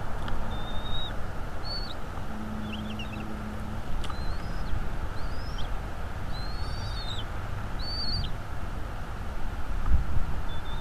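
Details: Nesting bald eagle in northeast Florida, February 2, 2022, late afternoon, on a nest camera. Repeated high, thin whistles and short chittering rising-falling notes are spread across the stretch, over a constant deep rumble.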